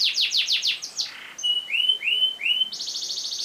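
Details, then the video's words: Canary long-roll song played to encourage other birds to sing: fast falling sweeps, then clear rising whistled slurs repeated, ending in a dense buzzy trill. "MASTERAN KENARI NGEROL PANJANG COCOK UNTUK SEGALA JENIS BURUNG"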